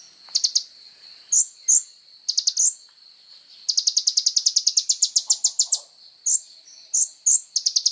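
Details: Van Hasselt's sunbird, known locally as kolibri ninja, singing energetically with full 'tonjolan' bursts, used as training material for songbirds: very high sharp chirps in short clusters, then a long rapid run of ticking notes and further chirp groups.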